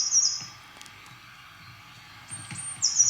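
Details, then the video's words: A Eurasian blue tit sings early in the morning, giving very high, thin trills. A passing car's rumble drowns the song, and after a nearly two-second gap the tit resumes singing. "Et là, je vais vous passer un chant de mésange bleu qui essaye de chanter tôt le matin, et puis il y a une voiture qui passe."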